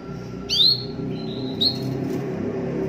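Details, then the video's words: Canary chirps used as a prompting sound to get canaries singing: two bright rising whistled 'cuit' notes about a second apart, each trailing into a short level tone, over a low rumbling background. "CUIT CUIT BUNYI PANCINGAN KENARI AGAR GACOR"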